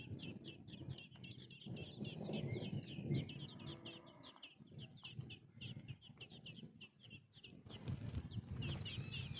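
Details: Sparrow mother feeding her nestlings in the nest: a dense, rapid run of short high chirps, many overlapping, keeps going throughout, over a steady low rumble of handling noise, with a louder burst of chirps near the end.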